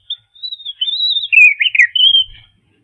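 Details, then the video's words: European robin singing, slowed to half speed so high notes and modulations stand out: a brief high whistle, then a flowing warbled phrase sliding between high and mid pitch, ending in a thin sustained high trill. "Robin Songtime"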